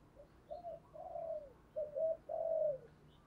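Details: Spotted dove decoy cooing to stir wild doves into calling: soft, distant-sounding hollow coos, several short notes then a longer burred note, set against a steady low background hiss.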